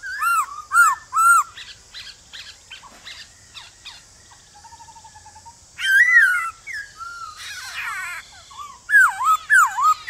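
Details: Male White-cheeked laughingthrush giving a wild forest-style song in the morning to prompt newly caught birds to answer. Loud, slurred, looping whistles come in short bursts, with quieter trilled notes between. A steady high hiss runs throughout.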